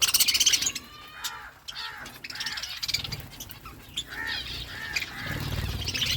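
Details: Feeding budgerigar flock giving a run of short, harmonic, slightly harsh mid-pitched calls several times a second, mixed with high chirping and low rumble.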